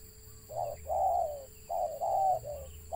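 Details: Wild spotted dove with a stuttering (gagap) call: low hollow coos broken into uneven bursts, short and long notes alternating over three seconds, with a steady electrical hum underneath.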